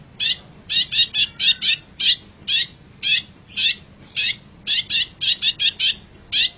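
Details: Long-tailed shrike, known locally as pentet cendet, on a masteran song track. Loud, high, harsh chip notes repeat roughly twice a second, sometimes bunched into rapid runs of three or four, against a quiet background.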